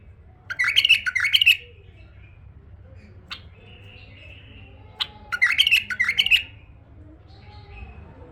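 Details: Tame male bulbul repeating a clear, rich warble twice, each burst of rapid rolling notes lasting about a second, with a couple of sharp clicks and a faint thin whistle in between.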